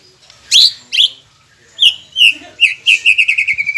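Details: White-rumped shama song meant to coax silent caged birds into singing: loud sharp downslurred notes, then a quickening series of clear whistled notes ending in a rapid even trill.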